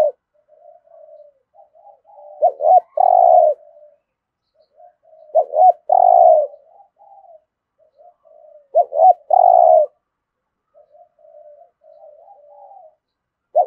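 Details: Spotted dove cooing in the full 'thổ' voice style, meant to urge newly caught caged birds to coo and fight; phrases of two short notes then a long emphatic coo recur about every three seconds, soft murmuring between.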